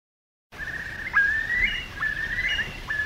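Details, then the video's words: Eurasian curlews circling overhead; clear whistled notes rising from about mid pitch, repeated in a loose series after a short silence, with faint background hiss. "The cry of the Curlew"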